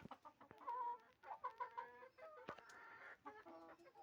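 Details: Village hen clucking: steady low clucks break into longer, nasal, harmonic notes and a ragged cackling phrase, with occasional sharp knocks in the background.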